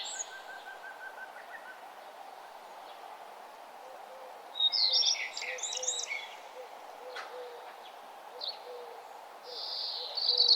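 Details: Birds sing on a nature trail at sunrise: a quiet series of low repeated notes, a loud twisting high warble midway, and a buzzy high phrase near the end.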